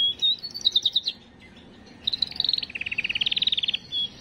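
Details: Canary singing to prepare females: a short whistle, a quick string of chirps, a pause, then rapid repeated pulsed notes forming a steady high trill.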